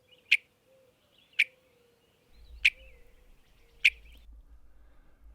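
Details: Western meadowlark (Sturnella neglecta) call note: four short, sharp "chuck" notes about a second apart, over a faint steady hum and low background rumble.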